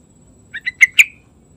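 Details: Yellow-vented bulbul singing in the morning as a lure for other birds: a quick run of four clear notes, the last two louder and ringing, over faint low background hum.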